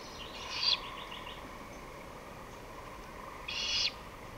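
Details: Great horned owl, recorded 23 May 2018 at 5:53 pm, gives two short, harsh, hissing screeches about three seconds apart over a faint steady background hum; Great Horned Owl.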